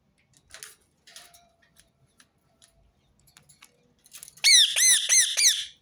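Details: Rose-ringed parakeet calling, repeated; after faint clicks and rustles, a loud burst of about six harsh, rapid screeches with sharp rising-falling notes ends the recording.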